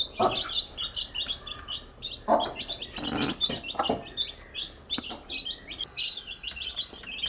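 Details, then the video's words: Newly hatched baby chicks going about their day, giving dense, overlapping high chirps, short arched peeps in quick succession, mixed with soft thuds and scratchy bursts of movement. "Cute Baby Chicks with chirping sound"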